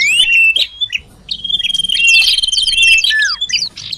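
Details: Common iora sound used as a lure to bring birds near: sharp chirps, then a sustained high whistle overlaid with rapid rippling twitters and a few downslurred notes.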